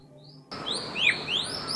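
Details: Verditer Flycatcher, likely a male, in a tree in oak-rhododendron forest in Madhmaheshwar Valley, Uttarakhand, at about 5:35 am in summer: after a short silence, a quick run of high, thin, overlapping whistled chirps sweeping up and down, over faint hiss.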